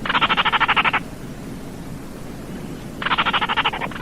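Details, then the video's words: Baillon's crake calling with two dry, clicking rattles, each about a second long of rapid, evenly spaced pulses, separated by a two-second pause with faint hiss between. "SUARA BURUNG RAWA TIKUSAN KERDIL"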